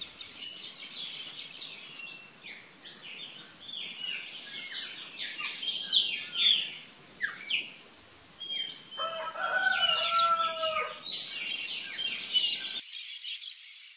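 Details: Wild curl-crested jays (gralha-do-campo) in Brazil: busy overlapping chatter of short sharp notes and downslurs, with a burst of lower harmonic, nasal calls near the end and soft background noise.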